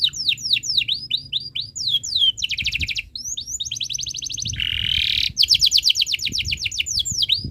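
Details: Tutor song of a canary for young birds: strings of quick downward-swept whistles alternate with dense rattling trills and a harsh buzzy burst, phrases changing every one to two seconds.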